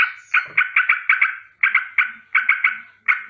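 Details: Morning alarm from a yellow-vented bulbul, delivered as a rolling sequence: clusters of rapid, rasping notes repeated in short volleys, a brief gap between runs, and a low soft sound near the start.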